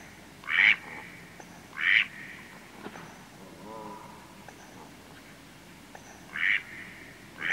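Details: A male Mallard flying close then becoming distant gives short, raspy nasal notes, two close together, then a pause before two more; a fainter, lower, wavering call midway, with a Canada goose and a coot at mid-distance.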